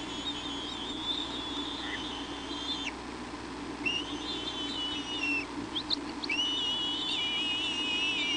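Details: Adult female bald eagle at the Hornby nest on an evening visit carrying a branch, 22 July 2011: thin, high whistled chattering notes in three drawn-out runs over a steady background hiss.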